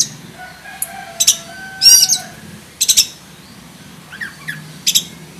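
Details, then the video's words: Black-breasted oriental magpie-robin with 'isian'-packed master song: spaced, sharp high chattering bursts and a brief warble, with faint lower slurred notes in between. "KACER DADA HITAM ISIAN FULL ISTIMEWA - COCOK BUAT MASTERAN KACER KALIAN"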